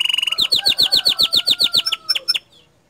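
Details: Canary in loud, continuous song: a fast trill, then a series of repeated downward-sweeping whistled notes about seven per second, ending in a few sharp chips.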